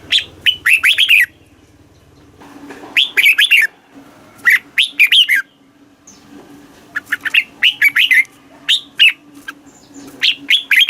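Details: Red-whiskered bulbul song in the southern master style, played to stimulate caged birds and teach young ones: bursts of rapid, bubbling, chattering whistled phrases, repeated with short pauses, over a faint low steady hum.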